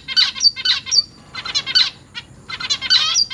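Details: Zebra finch babies in a home cage, August 2023, begging while parents feed them; rapid scratchy, nasal buzzes come in three tight clusters separated by short pauses, shrill and insistent, with faint high squeaks mixed in.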